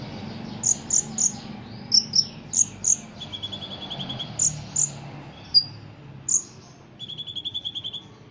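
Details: Competition-trained ruby-cheeked sunbird singing constantly with cricket-like fill: sharp high chips in quick pairs and triplets, downslurred squeaks, and two lower dry buzzing trills near the end, over a faint low hum.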